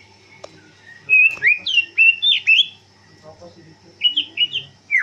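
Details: A captive greater green leafbird, kept about five years, sings in an open aviary in the afternoon during training: two bursts of quick, bright whistled notes sliding up and down, with a short pause between, over a faint murmur.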